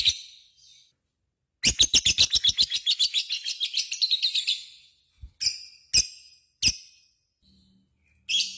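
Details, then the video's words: Lovebird in full voice giving a long 'ngekek' chatter: a fast, even run of sharp, high, rattling notes lasting about three seconds, then scattered short harsh chirps with pauses between them. "SUARA BURUNG LOVEBIRD GACOR,Jago Ngekek"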